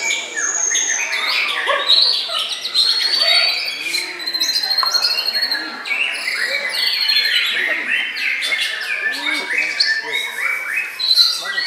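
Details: Extended white-rumped shama song full of rapid, varied phrases: ringing whistles, stuttering chips and upward slurs. The bursts rise and fall in loudness, with brief gaps between them.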